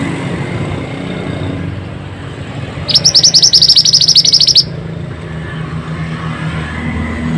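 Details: Energetic Pied bushchat singing, meant as a lure for stressed birds that stay silent: a single burst of quick, high, chattering notes under two seconds, set against a quiet, low rumbling background.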